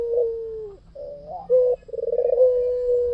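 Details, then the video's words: Short passage of a white dove's vigorous cooing, recorded as a lure. A steady low hum fades, a brief wavering note follows, then a sharp note leads into a pulsed roll and a sustained tone. "SUARA PUTER PUTIH FULL GACOR || PANCINGAN AMPUH"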